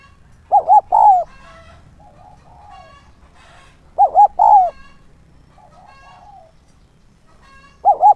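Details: Lure spotted dove calling to attract wild doves: a low phrase of two short coos and one long falling coo, repeated three times at roughly three-and-a-half-second intervals, with quiet calls of other birds filling the pauses.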